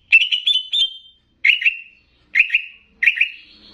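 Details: Banyuwangi greater green leafbird, used as a master with bebeci-style phrasing to heighten excitement in other leafbirds, gives bright stuttered whistles run into short trills, in four bursts spaced roughly a second apart, with no other sounds.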